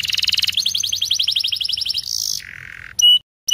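A canary pours out fast, high trills of rapid repeated notes, shifts to a buzzy roll, then a lower steady whistle, ending in sharp clipped bursts.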